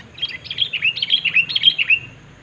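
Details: Sooty-headed bulbul calling while pitted against a rival bird in a luring contest: a lively, loud run of liquid, bubbling whistles and short slurred notes, about ten quick phrases in two seconds, over a faint high hum.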